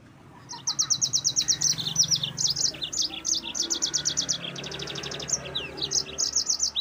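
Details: Yellow-fronted canary in vigorous rolling 'ngerol' song, used to provoke rival birds: dense high, bright trills of rapid repeated notes, with a few slurred whistles, running almost without pause through most of the clip; faint low hum beneath.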